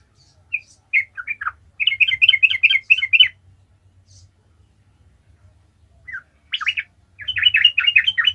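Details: Yellow-vented bulbul (trucukan) singing in vigorous 'gacor ngalas' style, used as a lure to get other bulbuls singing: bright chirpy phrases near the top of its range, a rapid repeated burst, a pause, then another fast chattering run.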